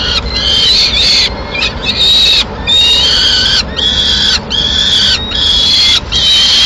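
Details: At a peregrine falcon nest in Madrid on 21 May 2016, the female brings a piece of pigeon to feed two chicks. Loud, drawn-out whining calls come one after another with brief gaps, some rising and some falling.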